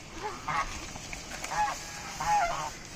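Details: Raj hash ducks giving three separate honking calls roughly a second apart, each a short nasal note with a clear, slightly falling tone, with quiet hiss between.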